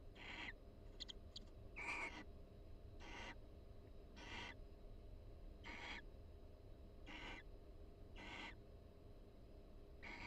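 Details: Inside a nest box at the University of Florida, two barn owls exchange quiet calls and groom each other during breeding season; about nine short breathy hissing bursts roughly every second, with some faint clicks early on, over low background rumble.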